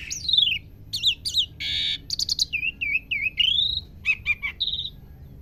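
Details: Young Asian pied starling learning to sing, producing a varied string of clear whistles: falling slurs, squeaky upward sweeps, a harsh buzzy burst and repeated short chirps across five seconds.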